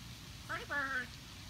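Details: A pet blue-and-gold macaw talking on a Saturday early morning speaks two quick, rough, speech-like syllables, the second longer and slightly falling, over a soft patter like rain.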